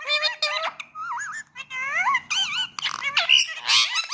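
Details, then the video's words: Indian ring-necked parrot talking indoors: rapid run of harmonic, voice-like syllables with wavering, warbling pitch, squeaky and nasal, mimicking speech in quick bursts. "Indian ring-necked parrot talking parrot"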